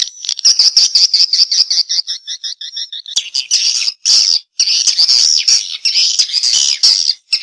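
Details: Swiftlet response call, a steady stream of fast, high chirps and buzzy trills, rapid notes repeating in an unbroken chattering rush with brief gaps.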